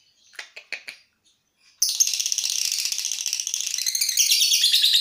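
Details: Lovebird ngekek, the long trill practised before a contest: a few soft ticking chirps, then from the second mark onward an unbroken, shrill, rapidly pulsing buzzy trill that holds and swells slightly until the end.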